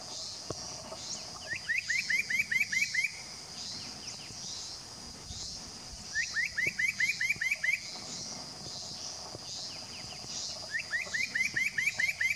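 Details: Spot-breasted parrotbill at Doi Lang, Fang, Thailand, 25 March 2017: three bursts, each of about eight fast upslurred whistles, spaced roughly four seconds apart over a constant high insect hum.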